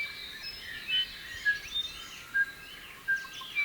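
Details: A Silvereye (waxeye) feeding on fruit in a garden gives thin, high, short notes every half second to second, over soft, hissy twittering; Bellbird song is in the background.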